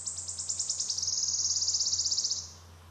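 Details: Wood warbler, the rarest of the three Phylloscopus species in the UK, singing: high, separate ticking notes that speed up and merge into a fast, shivering trill lasting about a second and a half, then stopping; faint low hum beneath.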